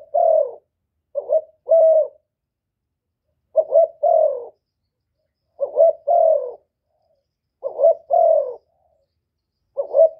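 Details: Spotted dove kept by Vietnamese bird keepers, its call used to provoke rival birds into calling; five clean cooing phrases of short stuttered notes and a drawn-out, gently falling coo, spaced about two seconds apart, in a quiet recording.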